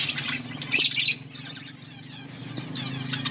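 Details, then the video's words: Budgerigars in a colony while eating, a loud burst of squawking chirps followed by softer chattering over a steady low hum. "Budgies birds eating and enjoying in budgies colony budgies parrot chirping sounds"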